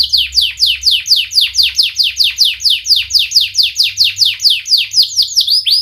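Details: Canary singing a lure song for young birds still learning: a steady run of sharp downslurred chirps, about four a second, high and loud, ending in a few swooping notes.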